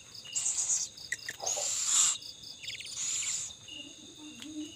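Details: Owl feeding its young: three harsh, breathy hissing bursts about a second apart, each roughly half a second long, over a steady high chorus of crickets.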